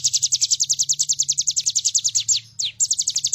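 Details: Bar-winged prinia singing full out, used as a master recording for training birds: a continuous fast series of high down-slurred notes, roughly seven per second, a short break, then more notes, over a low hum.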